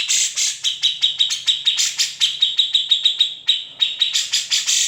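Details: Cucak jenggot (grey-cheeked bulbul) performing its harsh, trilling song as a training model for other songbirds; fast, evenly spaced rasping chips layered on a constant high whistle, roughly five per second throughout.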